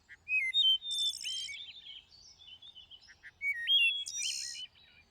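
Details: Thrush singing in two bursts, each mixing clear whistled notes that rise or step in pitch with very high, rapid, rattling trills; quiet gaps of soft twittering come between the phrases.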